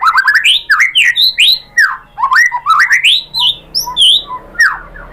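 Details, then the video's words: White-rumped shama in full song as bait for a caged shama: loud, fast, richly varied whistles and looping warbled phrases, almost continuous, with a few bright high notes. "pancingan MURAI batu bikin EMOSI NYAUT GACOR BONGKAR MATERI ¦ SHAMA BIRD"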